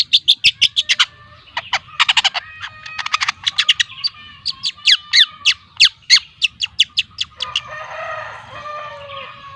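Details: Two-month-old speckled long-tailed shrike from Lampung delivering fast bursts of sharp chips in groups, mixed with whistled notes, then a harsh scratchy chatter at the end.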